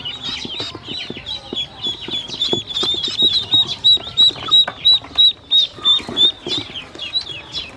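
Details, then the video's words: Hungry domestic ducklings being fed, one loud high peep repeated very regularly, about three per second, with fainter chirps from the rest of the brood and brief clicks. "Hungry baby ducks"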